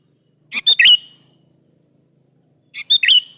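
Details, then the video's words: Energetic sooty-headed bulbul song used to provoke answering bulbuls: two phrases of quick chirps ending in a rich, downward-slurred liquid note, with a long pause between. "KUTILANG jenis apapun Pasti nyaut di Masteri suara burung kutilang gacor ini"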